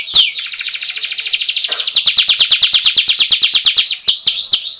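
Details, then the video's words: Canary master song with a roll: a long, even rapid trill of pulsed notes running several seconds, ending in a few swooping downslurred whistles. "Suara masteran burung kenari ngerooll agar burung cepat gacooorrr.."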